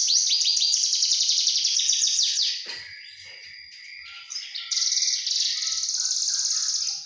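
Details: Juvenile Javan bush lark singing a loud, dense high twittering song of fast trills and buzzy notes, pausing briefly mid-clip with softer chirps before resuming a rapid repeated chattering phrase; shared as a mastering recording.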